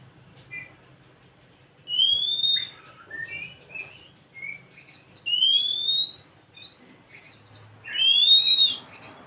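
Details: Oriental magpie-robin song meant to coax a quiet bird into singing: three loud, clear rising whistles spaced about three seconds apart, with softer short warbled notes between them.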